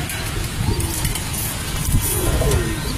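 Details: A young Afsan grizzle racing pigeon gives soft, low, throaty cooing, a couple of rolling coos over a steady background hiss and rumble.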